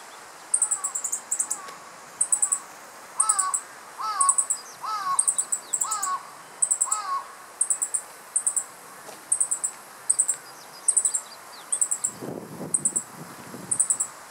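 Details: Male meadow bunting (Emberiza cioides) on alert in riparian forest, Japan, mid-July 2015, just after swallowing an insect: steady high ticking bursts of several notes, with lower looping whistled notes early on and a brief low rustle near the end.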